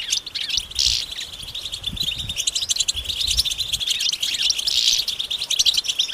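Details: Collective twittering of European goldfinches outdoors, mating and readiness calls to wake silent males into song; a steady stream of sharp high chirps and rattling trills, with brief louder buzzy bursts near the start and end.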